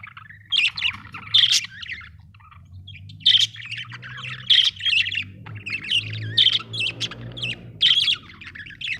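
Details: Chirping budgerigar, an Australian bird: sharp squawky chirp bursts every second or so, mixed with softer warbling chatter and a low background hum.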